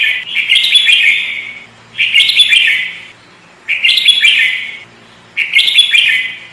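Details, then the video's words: Energetic full song of a sooty-headed bulbul, a trapping bird: four bright, chattering warbled phrases, each about a second long, repeated roughly every one and a half seconds with short silent gaps. "Burung kutilang pikat gacor isian fulll"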